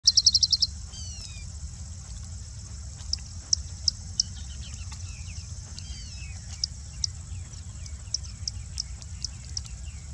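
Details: Singing bushlark perched on harvested peanuts in a peanut field in Andhra Pradesh, India, raising its crest while singing: an opening burst of high dry notes, then thin descending slurred whistles and scattered sharp chips over a steady high insect hum.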